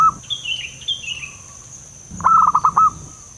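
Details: Zebra dove from the wild, recorded for luring birds into traps: a fast, rolling, pulsed coo near the end, preceded by a higher bird's falling warbled calls and a steady insect buzz.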